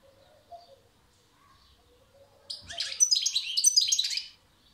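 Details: Song of a European goldfinch: a quiet opening, then a lively burst of high, tumbling twitters and tinkling notes lasting over a second.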